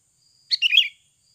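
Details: Single song phrase of a sooty-headed bulbul, recorded naturally as lure sound to start birds singing: a half-second run of rich, bubbling, slightly descending notes, then quiet.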